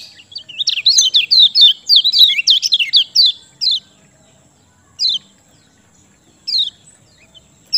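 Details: Kecial kuning (lemon-bellied white-eye) singing, kept to lure lazy birds into singing: a fast burst of high, sharp, slurred chirps over about three seconds, then single high down-slurred notes spaced apart, with a faint steady high whine throughout.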